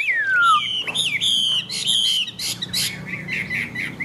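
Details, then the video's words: Rainy-day song of a caged Chinese hwamei. A long descending whistle opens, followed by strident, buzzy notes and scratchy chatter. "Họa mi xòe, Thuần đẹp mau mỏ hót hay"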